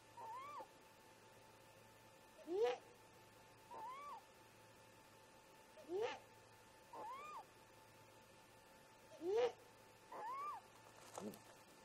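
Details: Great grey owl pair talking at first light, about 04:25 MDT, one perched at the snag nest and the other in the camera tree: a run of rising squeals alternating with softer arched whistles, roughly every one to two seconds, over a low hum.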